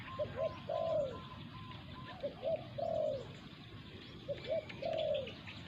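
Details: Spotted doves, a decoy bird and a territorial wild bird, during decoy hunting. Phrases of two short coos and one longer rolling coo repeat roughly every two seconds, with faint higher bird calls in the background.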